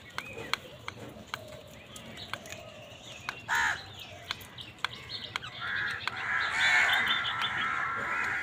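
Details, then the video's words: Crows squabbling over food give a short harsh caw, then a longer run of loud raspy cawing toward the end, with sharp clicks and faint chirps of other birds outdoors. "কাকের ডাক Crow Sound Crow ki Awaz Loudly part | Crow bird Fight for Food"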